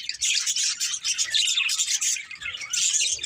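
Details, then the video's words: Budgerigars chirping: a dense, unbroken stream of scratchy, high chatter and quick tweets overlapping throughout, with no other clear sounds. "Beautiful Budgies Chirping Sounds"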